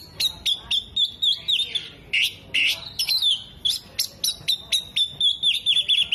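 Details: Oriental magpie-robin singing with tail opened, mimicking hummingbird, bearded bird and lovebird: a rapid, nearly continuous stream of sharp high chips about four per second, mixed with wavering whistles and a few rasping notes.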